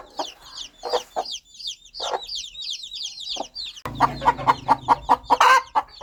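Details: Mother hen clucking to her baby chicks in the countryside: sparse clucks amid high, falling chick peeps at first, then a fast, loud series of evenly spaced clucks over a low hum.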